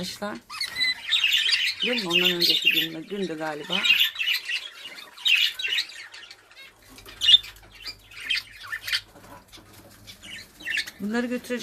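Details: Budgerigars kept and bred at home as a hobby: scratchy, high chirps and a busy chattering warble scattered through the recording, with a person talking at the start and again at the end.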